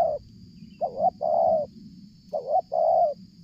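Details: Spotted dove approaching from a distance and cooing continuously during luring; two phrases, each a quick two-note stutter leading into a longer steady coo, over a low rumbling background.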